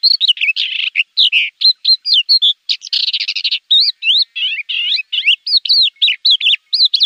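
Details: Javan bush lark delivering a fast, varied song for training cage birds: sharp swooping chirps, whistled slurs and a buzzy rattle, given almost without a break.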